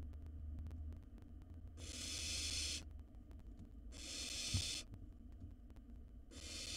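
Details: Wild barn owl chick in a monitored nest box eating a mouse whole; three rough, broad hissing screeches, each around a second, with a low hum and a soft knock.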